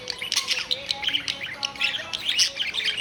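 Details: A pet family of six budgerigars living together indoors: busy overlapping chirps and short scratchy notes tumble over one another without pause, a bright twittering chatter from several birds at once.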